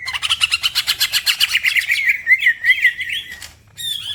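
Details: Green leafbird (cucak ijo) singing vigorously in a masteran recording, other birds also singing. Rapid, evenly pulsed chattering gives way to looping, slurred whistles, then a short pause and a fresh burst.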